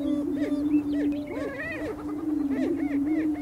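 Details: Male greater prairie chickens booming on a spring lek on North American prairie during mating display, with a continuous low hooting drone and overlapping short rising-and-falling whoops.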